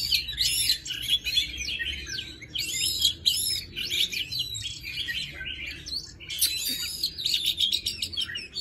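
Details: Wild forest song of an oriental magpie-robin, recorded to train young birds' voices: phrases of swooping whistles and rapid chattering notes, separated by short gaps, against faint low rumble.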